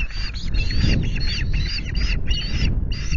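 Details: Osprey at its Loch Garten nest, 25 July afternoon, while fish is delivered: clustered bursts of thin whistled chirps and squeaky slurred notes, closely repeated, with steady wind roar underneath.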